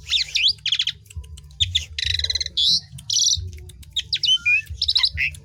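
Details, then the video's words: Asian pied starling song for stimulating other birds to sing: fast rattling note series, loud harsh buzzy bursts and short whistled slurs in quick succession, with a steady low hum behind. "PANCINGAN JALAK SUREN UNTUK BURUNG KURANG GACOR"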